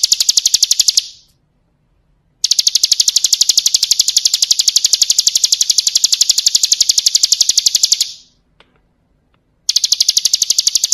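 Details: Bar-winged prinia, full-fill song for training captive birds: one long, steady run of fast, high-pitched repeated notes lasting about six seconds, framed by brief silences and further bursts.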